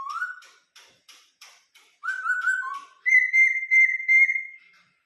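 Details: Song of a Vietnamese cage laughingthrush: soft ticking notes, a rising whistle, mixed warbled phrases, then a long loud steady whistle held over a second, slightly wavering.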